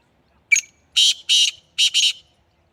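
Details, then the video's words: Black francolin, known locally as kala teetar, recorded in Sindh, Pakistan, gives a clipped opening note followed by three rasping, grating bursts, the last doubled, against near silence. "kala Teeter sindh Pakistan"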